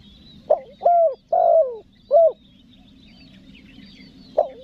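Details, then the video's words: Calling spotted dove, a clear lure call for attracting wild forest doves: one phrase of four low, hollow coos, the long third note sliding down, then quiet before a fifth coo begins. "SUARA TEKUKUR PESOM MANGGIL, NEKAN NGUKU"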